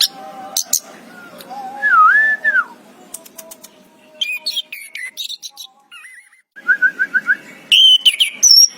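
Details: Orange-headed thrush, locally anis kembang, giving scattered whistles and chirps: a looping mid-pitched whistle, quiet gaps, clusters of high notes, a short run of repeated notes and a final high whistle.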